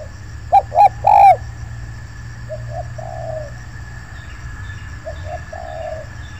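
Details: Spotted dove in an oil palm plantation where a wild bird arrived and began cooing: one loud phrase of two quick coos and a longer drawn coo, then softer, more distant coo phrases answering twice.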